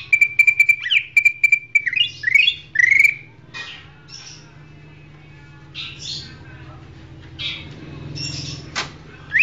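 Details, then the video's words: A champion greater green leafbird, used as a tutor song for other birds, pours out a rapid burst of sharp, varied whistles and chattering trills, then sparser scattered notes, over a steady low hum. "masteran cucak ijo"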